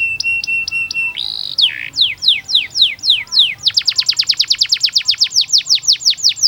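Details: Canary tutor song for young birds: high clipped double notes, a rasping buzz, then falling whistled sweeps that speed up into a long series of quick descending notes.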